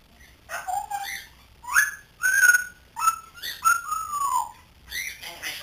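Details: Grey parrot chick of three months, a pet learning to talk, utters a series of clear whistled notes, some flat, some gently falling, spaced about a second apart, each with a rough onset.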